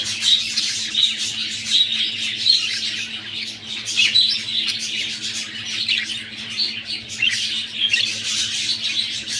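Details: Continuous warbling chatter from a budgie breeding pair kept indoors as egg-laying nears: rapid twittering notes and scratchy squawks running on without pause above a faint steady hum.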